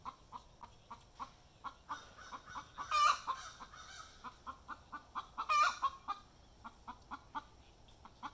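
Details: Hen's egg song after laying, caught in the act: quick repeated clucks with two loud harsh squawks about two and a half seconds apart, and a person speaking briefly afterwards.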